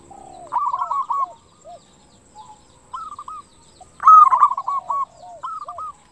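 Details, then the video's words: Zebra dove song of a local bird, played as a lure to stir other doves into replying. Soft, far rolling coo phrases come first. A near, louder burst of rapid bubbling coos arrives around the fourth second. "PERKUTUT LOKAL GACOR SUARA KRISTAL - Pancingan perkutut bikin cepat nyaut"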